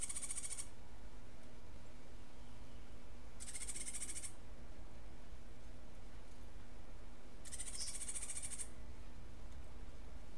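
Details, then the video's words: Cuban grassquit singing its martillito-style song: three dry, buzzy, high-pitched trills of about one second each, spaced roughly three to four seconds apart, over a steady low background hum. "Tomeguin de la tierra Cantando UNICO (Estilo Martillito)"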